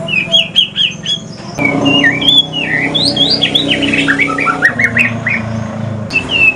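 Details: White-rumped shama, male, from Aceh, in pastol-style song: repeated paired whistles, then a lively string of looping slurred whistles falling in pitch, above a low droning hum.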